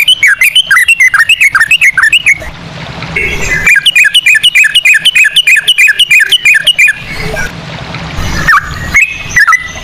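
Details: A lure recording of Sooty-headed bulbul in ropel style with cucak rowo phrasing: bursts of fast, bouncing whistled notes, each dipping then rising, broken by short noisy gaps, then a few sparse whistles at the end.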